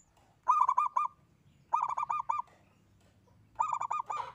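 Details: One local zebra dove singing eagerly: three bursts of five to six quick rounded cooing notes, each burst lasting about half a second, over a low background hum.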